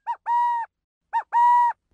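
Burrowing owl giving a two-part hoot, a brief note then a longer held tone, repeated twice about a second apart against a quiet background.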